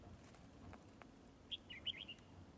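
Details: Red-whiskered bulbul fighting in display by a trap, spreading continuously: a brief chattering run of bright whistled notes near the end, after quiet hiss.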